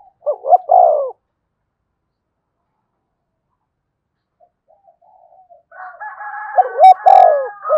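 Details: Decoy spotted dove cooing to stir a newly caught caged bird: one clear low coo phrase, a long quiet gap, then a busier burst of overlapping cooing and higher tonal sounds.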